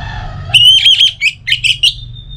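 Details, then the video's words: Orange-headed thrush singing a lure phrase for caged birds. A long, loud, level whistle is followed by a rapid series of short, rough, high chirps. "ANIS Merah Dirumah Pasti Bunyi Dengar Pancingan Kicauan Burung ini"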